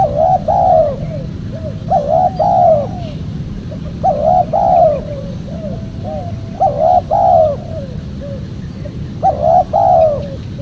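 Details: Spotted dove calls played to draw in wild doves for trappers: five strong multi-note coo phrases repeated roughly every two and a half seconds, each followed by softer trailing notes, with a low background hum throughout.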